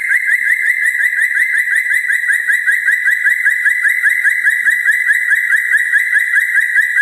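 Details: Red-breasted parakeet singing vigorously at night: a loud, fast rolling trill of buzzy notes near one pitch, repeated about twice a second without pause for the whole stretch.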